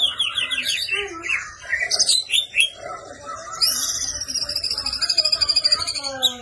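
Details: White-rumped shama (murai batu) fighting song, energetic and full of 'isian' fill phrases, used to train and shape caged birds: rapid varied chirps and trills, then a long buzzy high sweeping phrase repeated in quick pulses.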